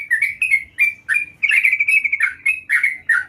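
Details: Sooty-headed bulbul singing energetically: short slurred whistled notes, then a rapid rolling trill, then more chirps in a brisk rhythm.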